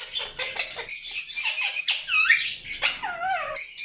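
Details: Indian ringneck parakeet giving harsh raspy squawks mixed with curving whistled notes that sweep down and back up, in a short busy burst.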